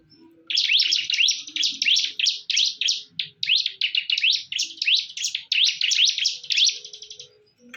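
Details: Bar-winged prinia (ciblek) in a fierce fight: dense, high, scratchy chirping in rapid back-to-back bursts, each a quick rising-falling note cluster. It runs almost without pause for about six seconds over faint low background noise.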